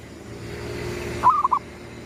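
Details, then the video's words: Lure call of a gedong mengo zebra dove at sunrise: a single phrase of four warm, gurgling coos arrives after a stretch of low droning engine-like background noise. "suara pikat perkutut gedong mengo,manggungnya pas menyongsong mentari terbit"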